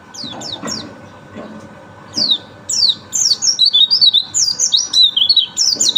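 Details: Quick, high, sliding chirps from a white-eye start off spaced apart, then run together into a lively, rapid warbling song of bouncing high notes, with a soft steady hum behind.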